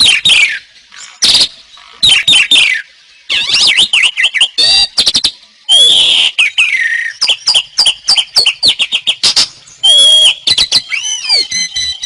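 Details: Loud, energetic Asian pied starling song for training songbirds: abrupt harsh bursts alternate with looping, warbled whistles, some notes rising and falling sharply, with a rambling, nearly continuous delivery over twelve seconds.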